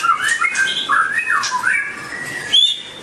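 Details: White-rumped shama producing slurred, warbled whistles and squawky notes in a rapid phrase, ending with a brief high whistle after a pause.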